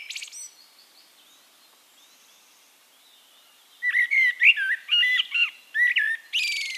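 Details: A Eurasian blackbird in Castricum, the Netherlands, opens with a brief high note, stays nearly silent for over three seconds, then bursts into loud, quick fluty warbles ending in a sharp, high squeaky flourish.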